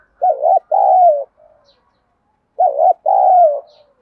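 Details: Spotted dove cooing in the 'đồng thổ' voice style, used to stimulate rival doves to respond. Two strong phrases, each with a quick warbled double note and then a long falling coo. A soft trailing note follows the first phrase.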